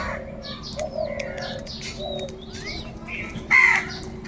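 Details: Crow searching for food gives a single loud, rasping caw late in the recording, while other birds keep up scattered chirps, short whistles and soft twitters throughout against a faint low hum.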